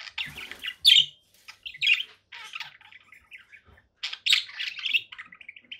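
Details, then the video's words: Conure parakeet chattering and squawking, loud rasping bursts mixed with thinner chirps, ending in a series of short repeated squeaky notes. "conure parakeet sounds"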